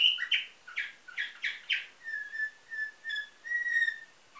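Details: Caged canary bred in Varna, Bulgaria, trained in nightingale-style song; quick slurred downward notes give way to a series of steady, pure whistled tones repeated roughly every half second.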